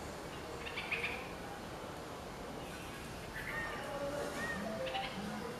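Red-vented bulbul giving a few short, bright chirping notes, scattered unevenly and rather faint over a steady background hiss.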